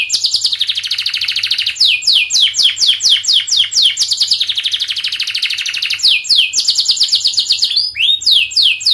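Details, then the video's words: Long, tightly packed canary song played to young birds learning to sing, opening with a buzzy rolling trill, then a series of quick downslurred notes and further rapid trills, almost without pause. "KENARI GACOR PANJANG speed Rapat, 99% SUKSES Bikin Kenari NYAUT/Pancingan kenari paud belajar bunyi"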